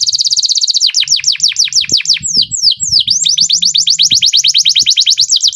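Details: Canary delivering a long rolling song, meant to encourage other canaries to sing: a rapid high trill, then a string of sharp descending whistles, and a return to a fast, steady roll.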